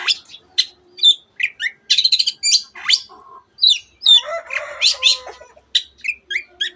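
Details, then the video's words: Long-tailed shrike mimicking canary and numerous other birds. A quick medley of high chirps, warbled twitters and slurred whistles runs into a burst of harsh, buzzy, rattling notes, then returns to bright chips. "cendet gacor nembak nembak rapat isian kenari dan banyak jenis burung yang masuk masteran"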